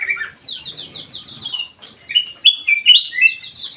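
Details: Bulbul, white-eyed golden form, kept in an aviary, pouring out song: a fast series of descending chips, then clear, rising whistled phrases in quick succession.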